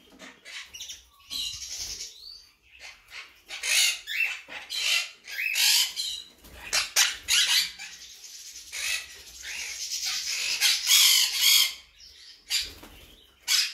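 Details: Monk parakeet of the blue colour mutation squawking almost without pause, a long series of loud, raspy, broadband screeches of uneven length with brief gaps between them.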